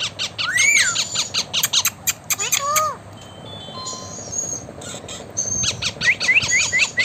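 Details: Talking blue Indian ringneck parakeet: rapid squawk series with curving whistles, a quieter stretch with steady thin tones, then renewed fast chattering and short upswept whistles.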